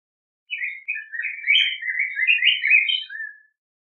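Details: Pheucticus chrysopeplus delivering a flowing, almost unbroken warbled song of sweet whistled notes that rise and fall, ending on a lower slurred note; quiet surroundings.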